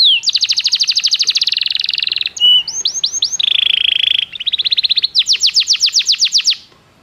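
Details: Song of a Belgian canary, used for training other canaries: long runs of quick repeated notes sliding downward, a flat buzzy trill in the middle, then brighter falling sweeps, all delivered at a steady rapid pace on a quiet background.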